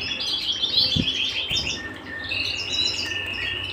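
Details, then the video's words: Canary song recorded at home, fast buzzy trills and chirps sliding into a long steady high whistle-like note, with a couple of soft knocks near the start. "canary bird - canary singing - canary sounds - canary singing at home"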